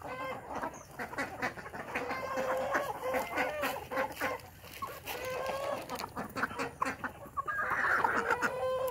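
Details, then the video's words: Desi village chickens at a natural-hatch farm in the morning, a flock clucking busily with overlapping nasal calls, one hen's drawn-out cackle rising near the end, chick cheeps scattered through. "Village Desi Chicken farm"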